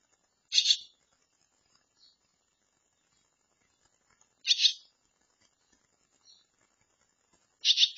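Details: Barn swallow chicks near fledging, in a handmade nest provided after their nest was destroyed during building, giving short harsh bursts of begging calls spaced several seconds apart, each with a faint softer chirp after it, in otherwise quiet surroundings.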